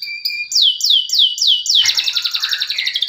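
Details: Singing canary, played to coax silent canaries into song: a clear held whistle, then four evenly spaced loud downward-swooping notes, breaking into a fast, dense chattering trill.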